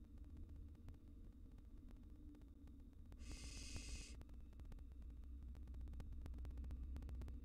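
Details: One rasping hiss, just under a second, from wild barn owl nestlings in a nest box as a cockroach intrudes; steady low hum and scattered soft ticks fill the rest.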